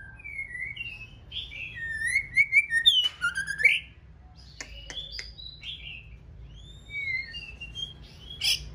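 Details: Female white-rumped shama with completed plumage, preparing for breeding season, singing to stimulate the male: clear, sliding whistled phrases, rising and falling, broken by sharp clicks and quick chattering notes, with pauses between phrases.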